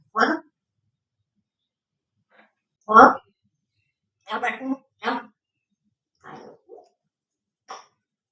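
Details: Female Congo African grey parrot, a pet that talks and imitates sound effects, produces loud clipped speech-like syllables in short bursts separated by silences, ending with a brief pure whistled note and a few softer words.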